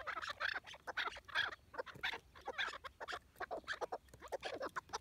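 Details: Quieter chukar partridge calls: raspy, cackling chuck notes in short clustered bursts, roughly two to three groups per second, with faint background hiss.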